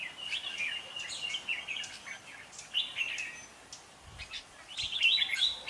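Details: Red-whiskered bulbul singing in competitive style, used as a lure to trap birds and to stimulate caged birds to sing. Short, bright, warbled phrases come in quick bursts with brief pauses, over a steady background hiss.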